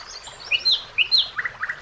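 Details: Common nightingale singing on a summer day by a river: a phrase of quick, high chirping notes, some swooping up and down, ending in two short repeated notes, against a quiet background.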